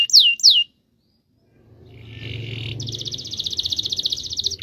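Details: Canary in rolling song for master training: two sharp down-slurred whistled notes, a pause, then a soft buzzy trill building into a long, fast, even roll, with faint low background hum.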